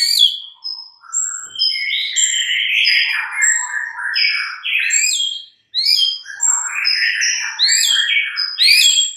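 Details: White-rumped shama morning lure song to set other shamas singing; a continuous, fast medley of short high whistles and lower rolling warbles with one brief pause two thirds through.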